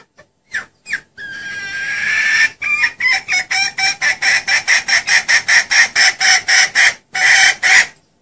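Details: Female red junglefowl call used to lure birds when hunting: loud harsh cackling notes, a few isolated clucks then a long drawn note followed by rapid rhythmic repeated clucks about twice a second, with short pauses.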